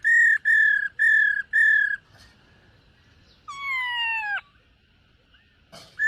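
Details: Black-throated laughingthrush in morning voice-training song while dancing: four loud, even whistled notes in a row, a pause, then a longer harmonic note slurring downward, and the start of another whistle.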